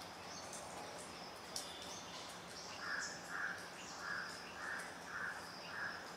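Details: A young grey hornbill gives a run of six mellow, mid-pitched squealing notes at a steady spacing of roughly 0.6 seconds, after a stretch of higher whistles and chirps from other birds nearby.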